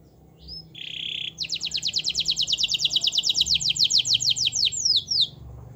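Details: Gacor-style canary song used to coax a lazy canary into singing: one high steady whistled note, then a long fast rolling trill of evenly repeated bright notes that speeds up and ends in a few downward-sweeping slurs.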